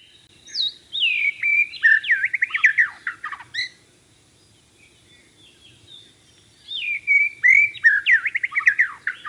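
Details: White-rumped shama song: two bursts of rich varied whistles, slurred notes and quick rattling trills, separated by a quiet pause of about three seconds, on a clean, calm background.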